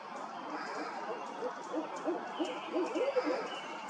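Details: A pair of barred owls calling: a run of rapid, uneven hooting and cackling notes that grows louder toward the end, over a steady background hiss.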